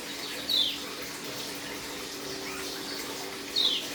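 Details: Dakun white-eye kept in a cage, third day of dew conditioning, beginning to chirp though still aggressive; two brief high descending chirps roughly three seconds apart against constant background hiss.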